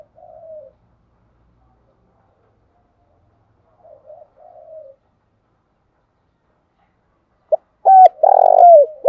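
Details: Spotted dove decoy bird used as a lure, singing its calling coo. Faint soft coos come first, then a loud phrase near the end: a low, falling hooted note, a rough buzzy middle note, and a downslurred ending.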